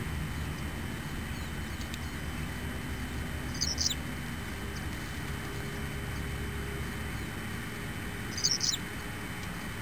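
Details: Hellmayr's pipit (Anthus hellmayri) recorded 25 September in Sector Cajón, Araucanía Region, Chile, gives two brief, thin, high bursts about five seconds apart, over a steady low rumble like distant traffic or wind.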